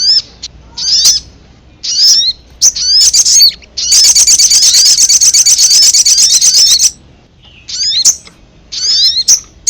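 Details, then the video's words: High-pitched ruby-cheeked sunbird calls played to lure wild sunbirds: clipped chirps with falling slurs, a three-second burst of dense, buzzy chatter, then a few more sharp chirp phrases. "Suara pikat burung sogon paling ampuh mp3"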